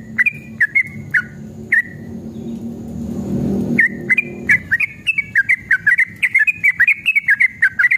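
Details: Yellow-vented bulbul giving a long 'ropel' song as a lure to draw other bulbuls into singing. A few spaced whistles, then a two-second lull filled with low rumbling noise, then a fast, dense burst of chattering whistled notes.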